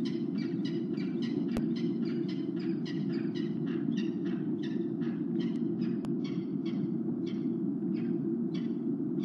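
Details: Peregrine falcon in Ohio, trying to lure its mate back before leaving, 1 February 2017, late evening, gives a fast series of harsh, ringing notes, about two or three a second, fading toward the end over a steady low rumble.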